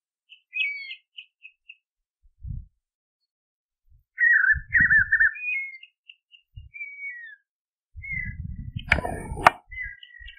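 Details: Spot-backed puffbird singing in the caatinga: short high whistled notes, then a burst of buzzy wavering trills, more scattered whistles, and a loud rustling, thumping noise near the end.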